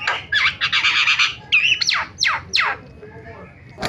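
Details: Starling, lure sound for getting silent starlings to call: a dense squawking burst, then three sharp downward-sweeping shrieks in quick succession and a short quiet tail.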